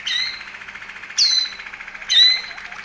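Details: Waterslager Malinois canary, Veliko Gradiste, Serbia, delivering three loud, clear bubbling phrases about one second apart, each a liquid gurgling burst over a softer rolling trill.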